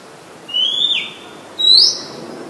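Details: Singing Oriental magpie-robin in Ubon Ratchathani, Thailand, 17 July 2022, a very common resident, captured on a Nikon P1000: two pure whistles, the first held level then dipping, the second sweeping upward, over a quiet background.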